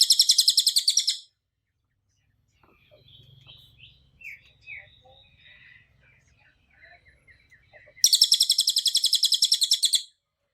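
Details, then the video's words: Cililin singing in a recording used to train other birds. A dense, rattling trill of about ten pulses per second opens the segment, then soft scattered chirps, then another loud trill of roughly two seconds. "SUARA BURUNG CILILIN untuk masteran"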